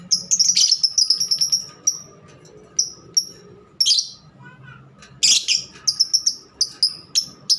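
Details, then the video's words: Pet lovebirds kept by their owner, giving loud, shrill chirps and piercing high squeaks in quick clusters, with brief pauses between bursts and a faint low hum in the background. "Love birds kesayangaku"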